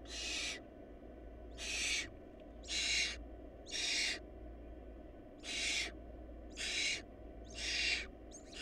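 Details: At a barn owl nest lacking food, loud breathy screeching hisses sound in a steady series, about eight half-second bursts roughly one per second, against a faint continuous hum.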